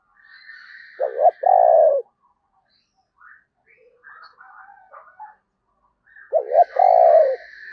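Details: Decoy spotted dove cooing to lure wild birds: two loud phrases, each a quick throbbing double note and a long, even coo, with a thin steady whistle and scattered soft bird notes in the gaps.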